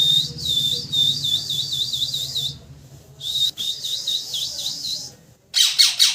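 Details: Loud parrot chirping in fast, bouncing high warbles, in two long phrases, then a short run of harsh squawks at the end.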